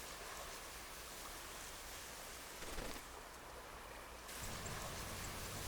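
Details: Hissing wash of rain or surf, growing louder toward the end, with no animal sounds.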